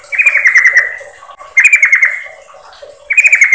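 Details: Sooty-headed bulbul, a female calling the male as a lure sound: three short, bubbly stuttering phrases about one and a half seconds apart, each tailing off slightly lower.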